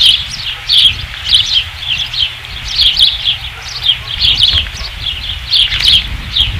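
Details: Chirping calls from an osprey at the nest in August 2016, with high piping notes repeated about forty times a minute at uneven intervals and a low background hum.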